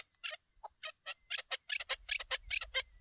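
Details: Chukar partridge during a partridge hunt, giving a fast series of rasping, clucking notes about twice per second that grow denser toward the end, with a faint low rumble underneath.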